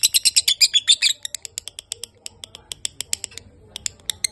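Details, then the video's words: Lovebird in extended song: a one-second burst of loud, rapid shrill chirps, followed by sparser, irregular high ticks and short notes. "Lovebird durasi panjang"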